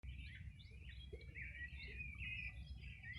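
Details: Wild birds singing on a summer morning in 2020 on the bank of the Río Bueno, Los Ríos region; dense overlapping chirps and warbled phrases run without pause over a steady low rumble of flowing water.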